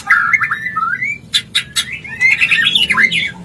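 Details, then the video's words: White-rumped shama mating call, used to bring a bird into breeding condition: clear, varied whistled phrases around a steady mid pitch, broken by sharp harsh clicks and rasps, then a rapid run of bright whistled notes. "Murai Kawin Suara Jernih"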